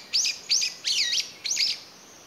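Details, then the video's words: A lone brown-eared bulbul in May 2021, apparently separated from its family, calls out for its companions: four loud, harsh, squealing notes about every half second, each sliding down from a high start. "仲間を探して鳴くヒヨドリ Brown-eared Bulbul"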